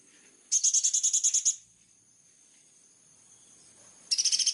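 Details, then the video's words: Plain-throated sunbird (kolibri ninja) song: a one-second rapid rattle of very high, sharp notes, a long pause with faint background hiss, then the rattle starting again. "KOLIBRI NINJA GACOOR FULL TEMBAKAN TAJAM||suara jernih"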